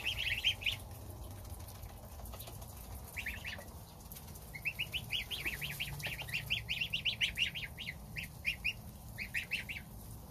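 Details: Young domestic goslings feeding on starter ration with their mother while the father goose guards outside; clear, high peeps run in fast rhythmic series, building to a dense stream of repeated notes.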